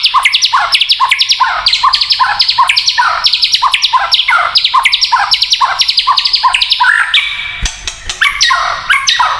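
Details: Kretekan song of a white-rumped shama, described as provoking rival shamas: rapid, evenly repeated chattering phrases, about three per second, ending in a longer whistled note and looser warbling.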